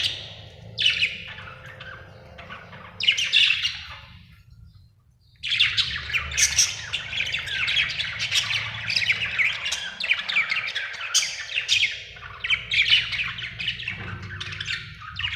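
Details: A happy budgerigar chatters in a fast, scratchy warble of high chirps and squawks, pausing briefly.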